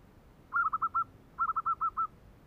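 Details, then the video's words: Zebra dove giving kerok-style cooing: two separate phrases of rapid, burred, rolling notes, the first of about four and the second of about five, evenly paced with quiet between them. "Burung Merbok meratus kerok"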